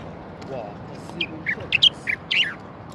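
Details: A common bulbul, recorded in Morocco in 2020 while trapping, gives a string of short, bright chirped notes that rise and fall, with some clipped, squawky phrases over a dull background rumble.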